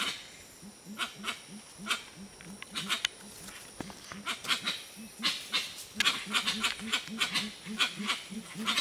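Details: Gray-winged Trumpeters at Tiputini Biodiversity Station, Ecuadorian Amazon, keep up a long, rapid train of low, hollow hoots, more than one bird overlapping, while harsh, clattering bursts grow denser toward the end.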